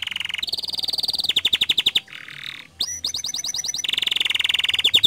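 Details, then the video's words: Lively gacor canary song used to coax other canaries into singing: sustained buzzy rolls, evenly pulsed chips about ten per second, a soft rasping section, then bright rapid trills. "Pancingan Efektif Banyak Kenari Ikut Gacor Dengan Suara Kicauan Kenari Gacor Ini"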